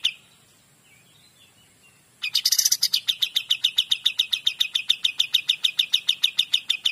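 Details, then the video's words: Kapas tembak, the cream-vented bulbul, singing 'gacor dor' style: after two quiet seconds with faint chirps, a loud rasping burst opens a long rapid train of clipped, bright notes repeated evenly. "KAPAS TEMBAK GACOR DOR"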